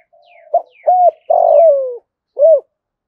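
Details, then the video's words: Decoy spotted dove cooing to draw in wild doves. A faint low hum comes before one complete phrase: a brief note, an arched coo, a long rough note falling in pitch, and a closing rounded coo. "cu gáy mồi gáy gọi những con bổi rừng rất nhanh gáy và về cội đấu nhanh"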